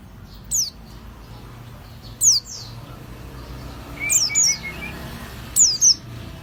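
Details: Oriental white-eye lure recording with sparse, very high, thin downslurred chirps spaced a second or two apart, one paired with a short lower whistle, over a background hiss and low hum.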